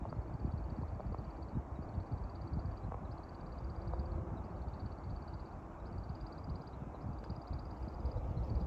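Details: American woodcock performing its spring dusk display flight, the wings whistling in short, high, twittering bursts of roughly a second each, repeated with brief gaps, over a loud low rumble.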